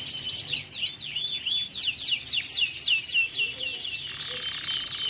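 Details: Canary singing a continuous roll for teaching young canaries: high zigzagging trills of rapid up-and-down sweeps that merge near the end into a buzzy sustained roll.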